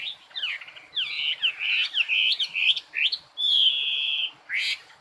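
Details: Bright chattering birdsong: choppy whistled slurs and chirps in quick groups, then a sustained level whistle lasting almost a second, followed by a sharp burst of high notes.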